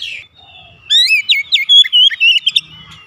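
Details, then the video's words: In the morning, an Oriental magpie-robin starts with a faint whistle, then bursts into a fast sequence of rich, twisting whistles and sharp chirps lasting about one and a half seconds. "OCEHAN KACER DI PAGI HARI"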